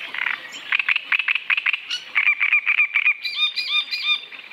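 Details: Great reed warbler (Acrocephalus arundinaceus), song.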